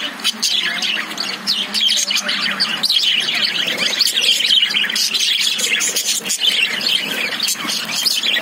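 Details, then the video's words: Noisy chatter from caged lovebirds: constant overlapping high-pitched chirps and squeals, loud and busy throughout with no quiet moments. "Love birds sound"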